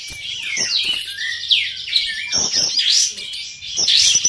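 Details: Four prize-winning kapas tembak bulbuls duel in an online songbird competition, first session; bright, fast warbling runs of sweeping high notes and sharp chirps crowd together, broken by short clicking bursts.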